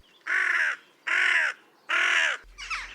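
A Western Jackdaw gives three harsh, slightly squeaky calls about a second apart, each half a second long, followed by a fainter, broken note.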